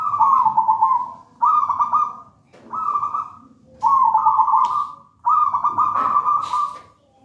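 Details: Wild-caught local zebra dove, taken from a plantain nest, singing steadily: five mellow, rolling trilled cooing phrases, each under a second long, repeated roughly every one and a half seconds, with faint clicks between.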